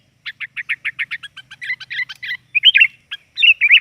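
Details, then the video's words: Sooty-headed bulbul in a lively lure recording: a rapid even series of short chirps accelerating into a chattering run, then a few louder slurred whistles. "Suara pikat burung kutilang || kutilang gacor || kutilang ribut"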